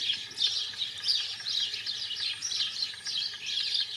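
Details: Song of a wild European goldfinch: quick, tinkling twitters repeated in clusters, bright and high, with a soft low hum behind.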